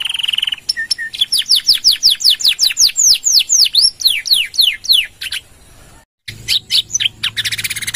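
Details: Canary in full long-trill song, used to stimulate and teach other birds: a steady tone, then a long regular series of sharp downward-sweeping notes, a brief gap, and a resumed burst of chirps.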